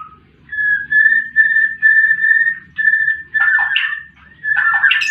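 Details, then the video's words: Fighting-mode white-rumped shama song for bird therapy: a series of steady, pure whistled notes on one pitch, repeated about every half second with brief gaps, ending in quick, louder warbled flourishes; faint low hum behind. "Murai batu tarung pancing bunyi burung macet"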